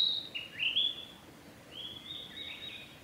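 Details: A male Narcissus flycatcher sings on a forest road on 1 May 2021, two short, clear whistled phrases, sliding and warbling at a high pitch, about a second apart, over faint background hiss.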